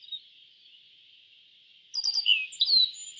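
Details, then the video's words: A brief yellow bunting phrase of a few quick high chirps and then bright downward-sliding whistles, heard against a steady thin hiss. "Suara Burung YELLOW BUNTING - YELLOW BUNTING Bird Sound"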